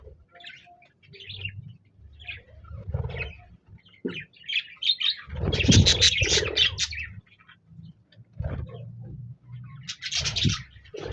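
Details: Budgies singing and chirping, recorded 26 January 2024; quick, scratchy warbles and short chirps build to a dense chattering burst in the middle, with low rumbling and clatter underneath.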